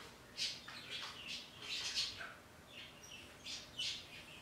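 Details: Morning calls from a pet parrot talking to outdoor birds: scattered scratchy squawks and thin chirps, fairly soft, arriving in short clusters with quiet spaces between them.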